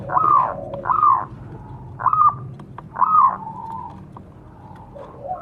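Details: Zebra dove calling, used to prompt captive birds to respond: four arched cooing notes spaced roughly one second apart, each swelling then falling, with faint softer notes trailing afterwards.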